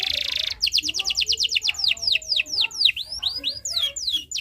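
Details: Canary song serving as a tutor for young birds: a brief buzzy roll followed by a long run of crisp falling whistled notes, slowing and varying in pitch.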